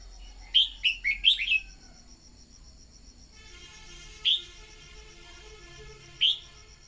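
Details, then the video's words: Decoy red-whiskered bulbul song meant to get newly trapped birds singing. A rapid five-note whistled phrase, then two isolated sharp notes spaced about two seconds apart, all against a constant shrill insect hum. "Luyện giọng chào mào mồi-kích bổi mau hót"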